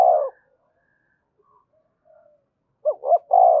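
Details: Spotted dove cooing in the 'thúc gù' manner meant to stimulate other birds: end of one low coo, a near-silent gap with faint murmurs, then a fresh phrase of two quick notes and a sustained rolling note.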